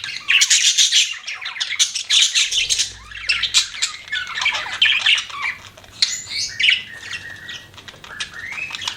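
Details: Pet budgies chatter with harsh squawks and quick chirps, loud at first, then softer, more scattered notes and some rising whistled calls.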